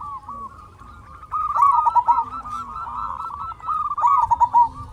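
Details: Zebra dove, a local bird kept as a lure to provoke other doves into singing, gives a run of quick, rolling coo notes building after a quiet start, with a second loud phrase near the end.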